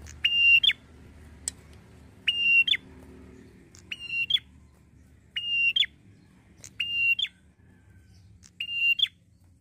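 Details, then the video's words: Six high, pure whistled phrases of a red-headed prinia lure call, each a sustained tone snapping into a short upward twist, repeated every one to two seconds to make other prinias answer fast. "PIKAT AMPUH BIKIN PRENJAK LAIN CEPAT RESPON BUNYI || PRENJAK KEPALA MERAH"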